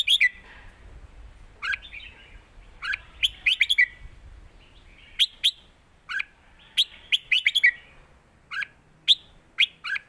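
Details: Red-whiskered bulbuls kept in cages sing a phrase-for-phrase duel in the southern master-pattern style. Loud, clear, chirpy notes come in quick clusters roughly every second or two throughout.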